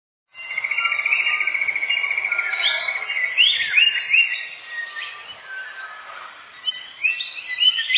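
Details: Canary song used as a lure for catching birds in a forest: long rolling high trill for three seconds, then varied rising chirps and short warbled phrases, bright and continuous.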